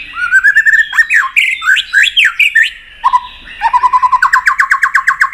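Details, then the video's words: White-rumped shama singing a long-voiced fighting song, tail-flicking to provoke a rival: a rich run of whistled phrases, swooping up-and-down notes, then rapid repeated rising notes in a fast trill. "chòe Lửa đập đuôi tạch kích căng, kích Chòe Lửa hót đấu căng lửa.chòe Lửa hót giọng dài"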